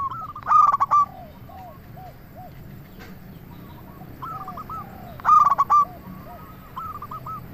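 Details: Zebra dove lure song, local bird: two loud phrases of fast, stuttering coos about five seconds apart, with quieter cooing doves answering in the background.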